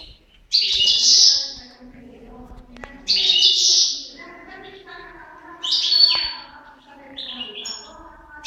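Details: A pair of European goldfinches: drawn-out nasal buzzy notes repeated about every two and a half seconds, with softer twittering and chatter between them.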